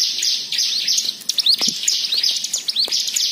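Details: Lure song of a white-eye, meant to set other birds singing: fast, high-pitched twittering with sharp rising and falling chirps packed closely together, unbroken throughout.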